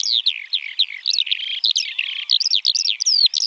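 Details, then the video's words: Eurasian Skylark (Alauda arvensis) in a short burst of continuous high warbling, with quick slurred chirps and a brief buzzy trill in the middle. "Eurasian Skylark (Alauda arvensis)"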